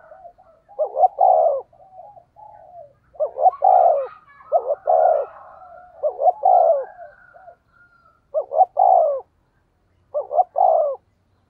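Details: Spotted dove used as a decoy bird, cooing in the low 'giọng thổ' style of the 'thúc gù' series: deep, mellow double coos in quick runs, then two more spaced phrases near the end with quiet pauses.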